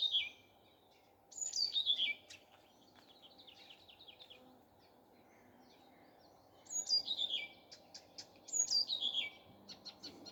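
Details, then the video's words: Common nightingale singing in the morning: two bursts of rapid descending whistled notes and high trills around 2-8k, separated by a quiet pause with faint clicking, over a steady low background hum. "Nightingale singing. Утренее Пение Соловья."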